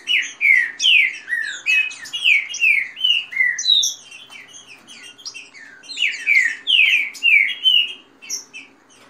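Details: Fast song of caged green-winged saltators competing with each other, with female calls and the rain-song style, played to warm up a bird. Rapid bursts of loud, downslurred whistles with high chirps, a short quieter pause, then another dense burst.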